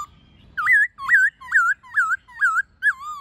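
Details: Laughingthrush singing in wild-style voice with many phrases, a female present, used to train captive birds to sing. Six loud clear whistled notes, each sharply rising then curving down, repeated about every half second over a faint low rumble.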